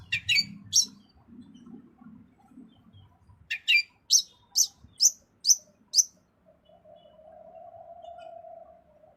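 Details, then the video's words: Rich song of a long-tailed shrike: two sharp high notes, then a pause, then a series of six clear, bright piercing notes about half a second apart, followed by a low steady hum. "Cendet Isian Mewah"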